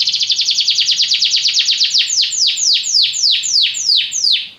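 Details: Belgian canary pours out a rapid high trill that slows into widely spaced, downward-sliding whistled notes.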